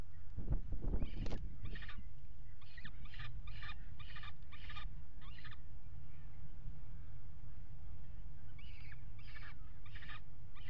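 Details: Peregrine falcon at the Axel water tower nest box, Netherlands, 5 February 2018, around mating on the ledge: clusters of short harsh chattering notes, quieter bursts near the end, with thumping knocks at the start and wind noise.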